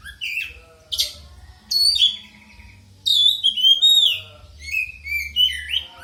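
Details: Rich, varied song of an oriental magpie-robin (kacer poci) played as a lure to stimulate singing: continuous loud whistled phrases, sharp chirps and slurred warbles in quick succession, with a steady low hum beneath.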